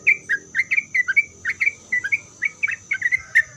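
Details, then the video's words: Short, crisp chirping notes from a sooty-headed bulbul, delivered in quick, slightly uneven succession as a challenge song to make other bulbuls answer, with a thin steady high whine behind. "Kicauan Trucuk Gacor Ini Membuat Trucuk Apapun Pasti Langsung Nyaut buat Trucuk satu pasar Ribut.."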